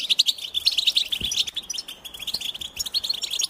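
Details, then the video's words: Goldfinch song: quick bursts of bright, high twittering notes and short trills run together without pause, lively and chattering throughout. "Goldfinch Song"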